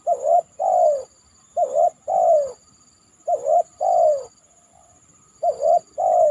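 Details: Spotted dove cooing after heavy rain, perched on a banana trunk: a short hooked coo followed by a longer, falling mellow coo, the pair repeated four times at roughly two-second intervals, with a faint steady high whine behind.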